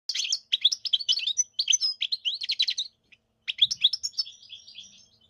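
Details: European goldfinch (Carduelis carduelis), song.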